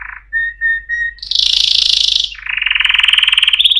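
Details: Singing canary opening with short, clear whistled notes in steady succession, then breaking into a loud, buzzy high trill and a long, lower rolling trill that ends rising.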